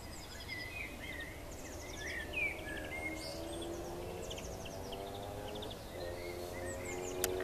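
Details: Eurasian siskin singing and calling on a roof ridge, giving a fast, twittering song of high chirps and buzzy trills, with a steady low mechanical hum running underneath.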